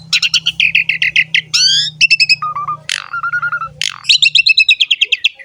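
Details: Asian pied starling singing vigorously, played to train and lure other starlings: rapid rattling chatter, a rising squeal, steady whistled notes and a final fast stuttering series, with a soft low hum beneath.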